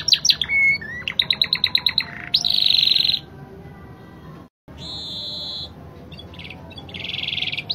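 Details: Spanish Timbrado canary varying its rhythm: a chattering rattle, then a rapid clicking series, then long metallic trills broken by a short silence, resuming with another bright rolling trill.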